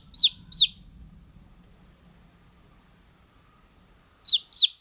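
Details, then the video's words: Baby chicken chicks chirping: two sharp falling peeps at the start, a long quiet stretch with faint low rumble, then three more quick high peeps at the end. "Cute Baby Chicks Chirping Sound"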